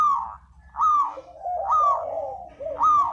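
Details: A spotted dove lure call: soft, drawn-out cooing notes that slide gently downward, about three phrases in quick succession blending into a continuous murmur.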